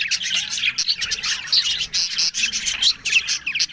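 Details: Budgerigars chattering, fast repeated chirps and warbles about twice a second, scratchy high twitters with a few clear whistled notes.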